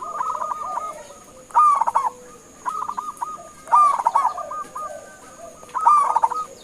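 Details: Local zebra dove in strong voice, calling so other birds reply: a string of short coos followed by loud rolling stuttered phrases, repeated about every two seconds, with a quieter lower dove cooing in the background.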